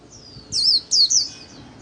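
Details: Líu-style song of a kept white-eye: a thin high whistle, then two loud wavering slurred notes close together.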